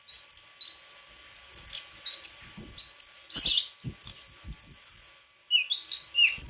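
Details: Sustained high song of a White-throated flycatcher: rapid chains of sharp rising and falling whistles, one scratchy burst midway, with a short pause near the end.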